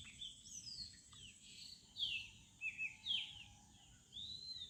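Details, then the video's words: Birds singing in a village in the morning, with clear arched whistled notes and brighter chirps in clusters, the loudest notes around the middle, over a low steady hum. "birds sound at morning/ Village birds sound"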